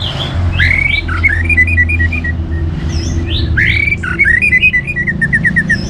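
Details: Orange-headed thrush singing to stimulate other birds: rich varied whistled phrases with rising slurs, ending in a rapid run of short descending notes, over low rumbling background.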